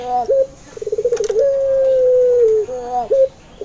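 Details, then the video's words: Pelung-type puter dove singing as a lure for doves that rarely call: short bent note, then a throbbing pulsed run opening into a long even coo, ending in a clipped note. "PANCINGAN BURUNG PUTER"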